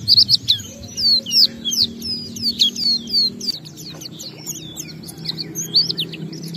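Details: Oriental white-eye used as a singing lure to stir other white-eyes; bright high whistled notes, each sliding downward, delivered in quick runs with short pauses and a steady low hum underneath.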